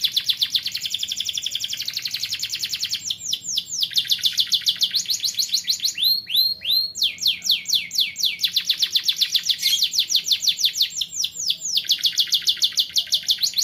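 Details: Young canary in song, meant for training other birds: long rapid rolling trills of repeated sweeping notes, broken midway by a few slower rising whistles before the fast trill resumes.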